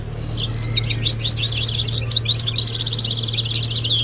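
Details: Group song of several European goldfinches, used to coach young goldfinches and encourage females to breed: bright, fast twittering and sparkling chirps building into rolling buzzy trills, over a steady low electrical hum.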